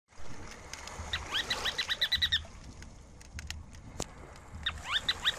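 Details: Ruddy turnstone: two bursts of rapid, sharp, chattering notes, the first a run of about ten quick upward-flicked notes, the second shorter near the end, over a low rumbling background.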